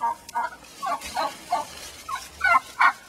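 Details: Upset hen in a backyard pen, let back in after the flock nearly killed her, giving uneven bursts of hoarse, gobbling squawks that grow louder and sharper toward the end.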